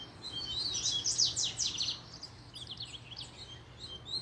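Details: Loud, fast song of a double-collared seedeater agitated by a female: a rush of sharp, high sweeping notes, a brief lull, then more scattered quick twitters.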